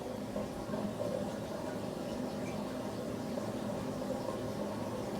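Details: Steady indoor hum with broadband hiss and low rumbling noise throughout, with no animal calls heard.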